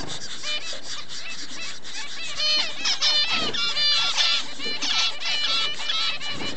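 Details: Double-barred finch adults with chicks, recorded 4 June 2011: a busy run of short nasal notes and thin squeaky calls in overlapping series, over constant background hiss.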